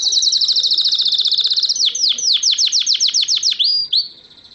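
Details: Song of a caged canary from Morocco, 2012: a fast, even high-pitched trill of about twenty notes, followed by deep falling sweeps repeated quickly and a short fading whistled tail.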